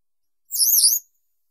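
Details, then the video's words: Western yellow wagtail uttering a single very high, thin, buzzy note about half a second long with a wavering slurred pitch, in an otherwise quiet setting. "Как поёт Трясогузка жёлтая"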